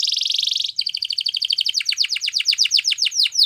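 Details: Yellow canary singing: a rapid buzzy high trill breaks into a long series of repeated chirping notes that slide downward, gradually becoming slower, louder and more sweeping; no other sounds.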